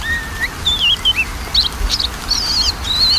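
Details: Magpie-robin song played as a lure to get a lazy bird singing: a long level whistle, then twisting warbled phrases and high wavering notes, continuous and varied, with background hiss.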